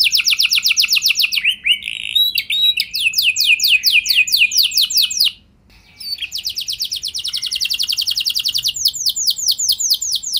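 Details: Canary song played so other canaries join in: fast trills and swept whistles, a one-second silence, then a long high rolling trill and more whistled sweeps.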